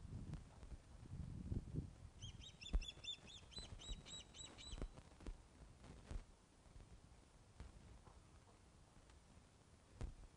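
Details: Ospreys at the Loch of the Lowes nest, Scotland, on 21 August 2012 at 16:35 during a fish delivery, picked up by webcam: a rapid run of short, sharp whistled chips lasting about two and a half seconds over low rumbling background noise.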